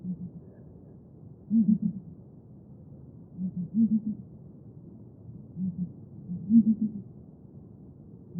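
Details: Low, muffled booming from a Southern ground hornbill, the Xhosa rain bird. Four phrases of soft paired hoots and louder triple hoots come at slightly uneven intervals of about two seconds.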